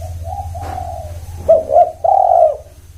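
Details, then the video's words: Spotted dove calling: a soft faint coo, then a phrase of two short notes and a sustained breathy coo, with a low humming background. "Semua Tekukur Bunyi"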